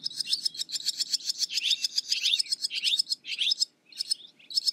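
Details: Rapid rattling twitters of a barn swallow pouring out almost without pause, with downslurred warbled notes, then a few last short chirps.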